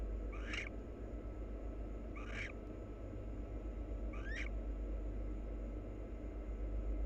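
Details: Wild barn owl pair preening each other. Three brief rasping notes, the last sliding upward, about two seconds apart, followed by quiet hum only.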